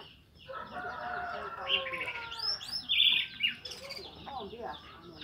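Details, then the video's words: Ngeplong morning song of an orange-headed thrush, played to stir silent thrushes into singing: a run of even, harmonic notes that gives way to loud, ringing whistles and bright sweeping phrases. "Anis merah Ngeplong di pagi hari untuk memancing Anis macet jadi teler"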